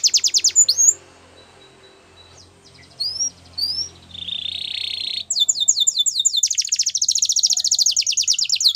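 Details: Yellow canary training song with brief high trilled notes, a pause of faint background hum, two rising whistles, a buzzy tour, then a long fast series of sharp descending chips.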